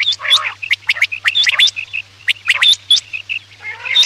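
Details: Quail call used at night to lure birds for hunting: busy mix of sharp clipped notes, thin high whistles and harsh, nasal buzzy phrases at start and end, low hum in the background.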